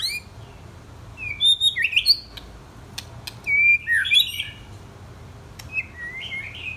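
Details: Young white-rumped shama, ten or twelve months old, delivering short bursts of whistled and slurred notes with sharp clicks, separated by quiet pauses.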